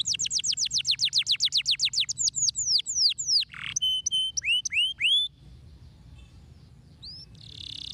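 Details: Canary singing, used to encourage other canaries to sing: a fast run of descending whistled notes slowing into repeated upswept chirps, then a brief quiet pause before a short buzzy phrase.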